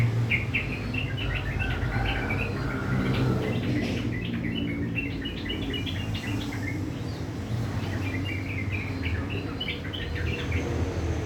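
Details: Sooty-headed bulbul singing in the morning, likely a kept bird, with a rough chattering song described as uklik uklik tok tok: rapid bursts of short, bright, scratchy notes over a steady low hum and background noise.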